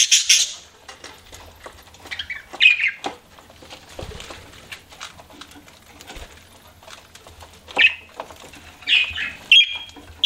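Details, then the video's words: Pet budgerigars giving scattered short chirps and squeaky notes in bursts near the start, middle and end, with quieter chattering and faint low rumbles between them. "CUTE PET BUDGIES CHIRPING"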